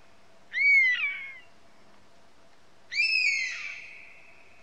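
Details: European honey buzzard calling: two loud, plaintive whistled notes, each sliding downward with a rich harmonic ring and a slurred tail, about two seconds apart, over a faint steady low hum.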